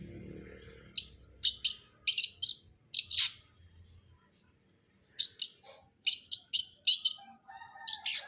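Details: Long-tailed shrike (cendet brundol) delivering two bouts of rapid, grating chatter notes in pairs and triplets, separated by a quiet gap of about a second, ending with a brief thin whistle.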